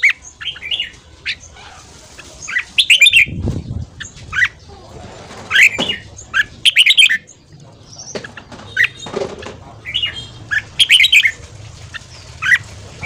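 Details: Red-whiskered bulbul in fast morning training song, 'ché' style, used to excite newly caught birds: lively phrases of loud, chattering, slurred whistles recur every couple of seconds, with low thumps and rustling between them.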